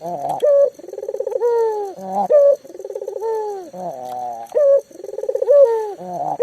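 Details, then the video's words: Vocal local spotted dove, a lure for mute doves to begin calling; series of trilled coos with a descending tail note and a short loud clear hoot, repeated about three times. "burung puter lokal gacor"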